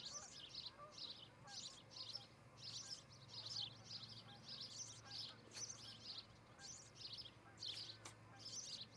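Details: Nest-camera recording of an osprey in Charlo, Montana, morning of July 14, 2018; a long run of sharp high chirps repeats about twice per second, with faint lower bird notes and light hum beneath.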